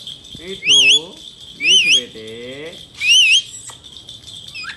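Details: Male Indian ringneck parakeet talking, giving three loud speech-like phrases about a second apart, each a harsh, wavering high tone laid over lower voice-like syllables, with a quiet room between phrases.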